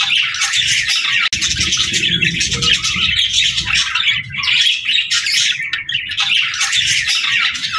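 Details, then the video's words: Cheerful budgie singing: overlapping high twitters, squawks and warbled notes pour out without pause over a faint low hum. "Cute Budgie Sounds"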